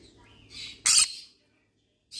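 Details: Yellow-sided conure calls: a soft rising note, a grating squawk, then a loud harsh screech, a brief silence and another raspy call starting at the end.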